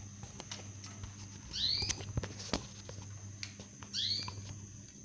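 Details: Zebra finch chicks six days old: two short, bright, downward-sweeping harmonic calls about two seconds apart, over a steady low mechanical hum and scattered clicks.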